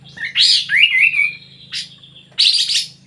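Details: Sooty-headed bulbul in 'gacor' song: a bright chirpy burst flowing into a drawn-out slurred whistle, a short note, then a dense chattering burst; faint low hum throughout.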